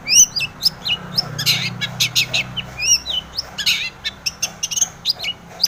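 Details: Long-tailed shrike song used to provoke other shrikes into singing: alternating harsh rasping bursts and clean whistled upslurs, plus quick sharp clicks, in a lively irregular sequence.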